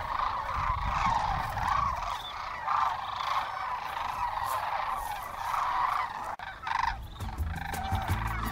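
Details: Large flock of sandhill cranes coming back to land at midday after foraging, Willcox, Arizona, late winter into spring; rolling, rattling calls rise and fall in waves, followed by rapid clicking near the end.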